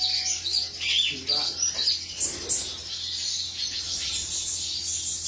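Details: High twittering and chirped phrases from a male cucak cungkok, broken by a few lower, softer notes early on, then a smoother run of high warbling.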